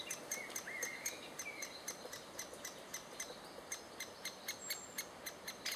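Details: Adult great spotted woodpeckers feeding chicks, June 2011; quick, regular sharp ticks, roughly three per second, continue throughout with a few soft whistled notes from other birds.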